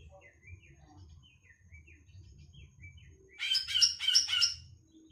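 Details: Greater green leafbird excited by a played tutor recording: after soft, gliding whistles in the background comes a loud, one-second burst of rapid, buzzy, repeated notes pulsing about three times, with a low hum underneath.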